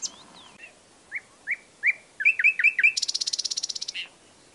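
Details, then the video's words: A common nightingale phrase: a few spaced, slurred whistles speed up into sharp chirps, then a fast, buzzy rattle of about twenty notes, with nothing else heard. "It turned out to be a nightingale | Real sound"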